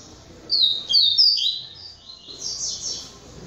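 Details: Double-collared seedeater kept in a breeding aviary gives a brief, loud series of high, clear whistled notes in the Polish song style, trailing into a softer, buzzier phrase.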